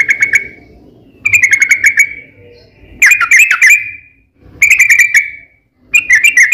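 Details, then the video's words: Yellow-vented bulbul singing as a lure for other bulbuls, bursts of rapid chattering whistled notes about a second long separated by short pauses, with faint low background noise between phrases. "KICAU SUARA trucukan gacor ROPEL PANJANG pancingan trucukan agar bunyi"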